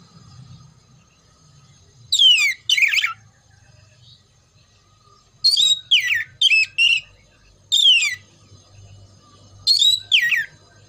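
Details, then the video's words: Oriental magpie-robin song, played to prepare birds for singing contests: loud paired phrases, each a sharp whistle sliding downward followed by a buzzy burst, repeated in three bursts about four seconds apart over a faint low hum. "TERAPI SUARA KACER"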